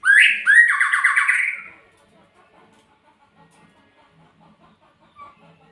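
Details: Magpie-robin (murai) giving one loud phrase: a rising note, then a buzzy trilled sweep with rapid pulses, lasting about one and a half seconds before near silence.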